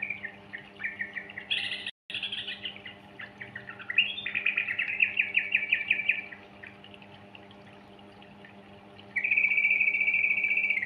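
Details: Yellow-vented bulbul, in a lure recording for young birds: busy high chattering, a brief cut, then an intense fast trill of bright notes, a lull, and a final loud sustained chatter, all over a low hum.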